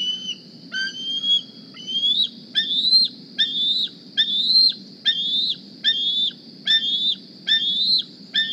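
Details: A juvenile bald eagle wearing a GPS transmitter returns to its nest squeeing for food in the morning: a few scattered notes, then a steady run of piercing, up-slurred whistles about every 0.7 seconds over soft background noise.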